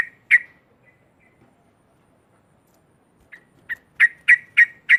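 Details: Yellow-vented bulbul delivering a loud provoking chatter: two strong harsh notes open the clip, a quiet gap follows, then a fast run of about six rasping notes building in loudness.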